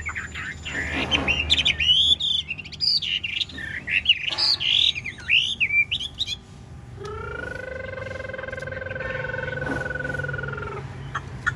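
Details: Large-bodied Chinese hwamei kept as a cage bird, nodding and dancing as it sings: rapid, loud, varied whistled and warbling phrases swooping high, then a long steady two-toned squealing note held for several seconds.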